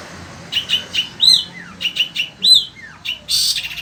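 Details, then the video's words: Long-tailed shrike, a caged sembur-type bird from Indonesia, keeping up its melocor singing in the heat: short chips, arched whistled notes and thin falling slurs, ending in a harsh rasping burst. "Burung Cendet INI TETAP MELOCOR DOR"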